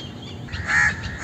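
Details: A single harsh, nasal caw from an Indian crow, rising in loudness and then fading, over steady low background noise.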